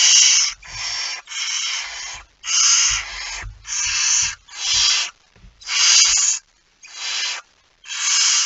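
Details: Barn owl with a mouse, recorded 17 September 2019 at 01:49: about nine harsh, hissing screech bursts, each roughly half a second long, broad and noisy, separated by short silent gaps.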